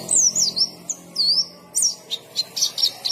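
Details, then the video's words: White-eye, or pleci, producing wavering high whistled phrases followed by a string of short, sharp chirps at a moderate pace. "KICAUAN BURUNG PLECI GACOR NGALAS"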